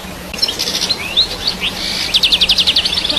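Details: European goldfinch song: scattered high chirps and short slurred notes build into a quick series of sharp repeated twittering notes, over steady background hiss and a faint low hum.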